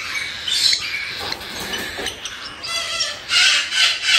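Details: Cockatiel chicks about one month old, bred in captivity in Tokachi, Hokkaido, making harsh 'jaa-jaa' begging cries. Scratchy, noisy rasps come in bursts, swelling into loud grating calls near the end over soft music.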